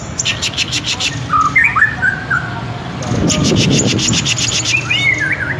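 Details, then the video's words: Vigorous singing of a white-rumped shama: rows of quick dry clicks, with clear slurred whistles and short warbled phrases between them, set against constant low background rumble. "jangan ngaku gacor kalau belum dengar kicau MURAIBATU INI"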